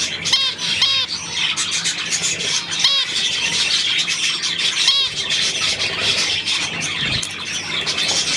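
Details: Budgerigars recorded on 9 February 2024, a busy group giving dense high warbling chatter with several sharp, ringing harmonic calls near the start and around the third and fifth seconds, against steady background hiss.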